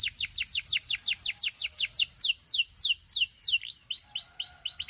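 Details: Russian singing canary song: a fast run of bright descending whistled sweeps, about three per second, shifting midway into quicker, higher slurred notes and then softer rising whistles.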